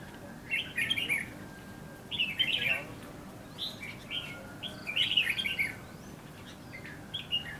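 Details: Red-whiskered bulbul used as a decoy singing to lure wild bulbuls during trapping at Lương Sơn, HB, with a bird settling in the bushes; bright warbled bursts of whistled notes repeat every one to two seconds over a low background hum.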